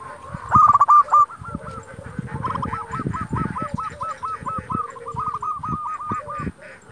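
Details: Local zebra dove (perkutut) calling to provoke rivals to answer: a loud opening burst, then a long steady run of quick, evenly spaced coo notes, with a second lower cooing voice and low thumping background noise.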